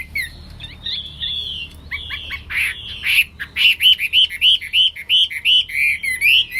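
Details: Gacor song of a Hwamei (wambi): varied whistled phrases open quietly, then grow into a loud series of rapid rising and dipping notes, repeated about three times a second, with a faint low hum behind.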